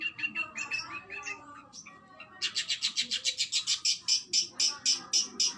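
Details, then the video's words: Oriental magpie-robin, locally kacer, singing in the rapid 'tembakan' style: mellow warbled phrases, a short pause, then a run of loud, high notes repeated steadily about four times a second. "MASTERAN BURUNG KACER TEMBAKAN SADIS"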